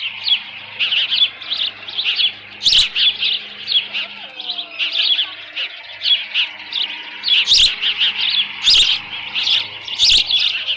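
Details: Osprey at the nest in mid-June 2018 around 11:37 AM, leftover fish present; continuous high, twittering chirps at a moderate level, with several hard clicks and a faint low hum.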